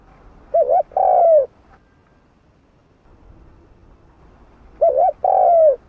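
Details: Low, hollow cooing of a spotted dove in 'hạp bổi' voice, meant to excite other doves: two repeated phrases of a brief double note then a drawn-out descending coo, about four seconds apart.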